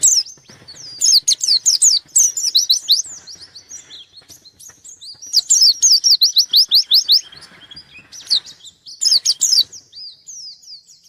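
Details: Loud white-eye song aimed at a rival, three energetic bursts of rapid, high-pitched upswept chirps and trills, each lasting a couple of seconds, linked by quieter thin twittering.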